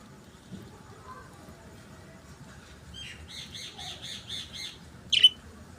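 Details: Singing budgies: a quick run of six raspy, evenly repeated notes lasting just over a second, followed by one loud, sharp squawk, over faint low background noise.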